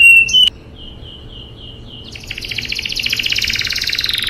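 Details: Canary rolling song, for tutoring young canaries: a few sharp high notes and soft even whistled tones, then a rapid, rising trill of dense high notes that builds in loudness.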